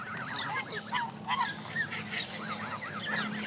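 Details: A large gathering of Canada goose families with goslings, May 2014, at a lakeside park. Rapid, rolling chirps repeat in quick zigzag runs, several brief louder calls rising above a constant low drone.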